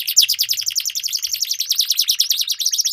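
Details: Canaries dueling in long rolling song, used as a lure to get stalled canaries singing: a dense, continuous high buzzy trill of rapid repeated notes, steady throughout, with no other sounds.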